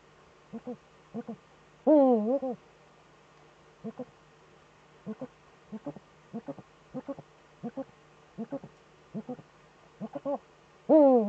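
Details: During mating in a breeding niche, Eurasian eagle-owls on a webcam, 26 February 2013, give evenly spaced short paired chittering notes, broken by two long, loud, wavering harmonic calls.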